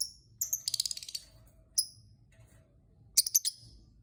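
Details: Lovebird chirping to lure other lovebirds into singing. Two bursts of sharp, high twittering notes, the first a rapid run of about eight chips, the second shorter, with single clipped chirps between and quiet background.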